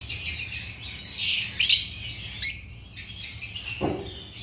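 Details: African lovebirds chirping: bursts of shrill, high, scratchy chirps in quick clusters, broken by short pauses, with one lower squawk near the end.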